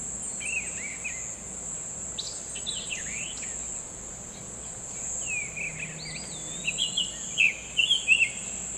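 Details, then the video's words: Wild summer tanager singing sweet whistled phrases of looping and downslurred notes, a couple of scattered bursts early and a quicker, brighter run near the end, with a constant shrill insect drone behind. "KICAU MANIA."SUMER TANAGER"(BURUNG KICAU)Full Gacor di Alam liar"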